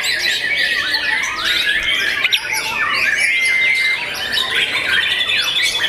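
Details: Caged young white-rumped shama of competition class delivering a busy, unbroken song of fast warbled and squeaky notes, with a few longer steady whistles threaded through the chatter.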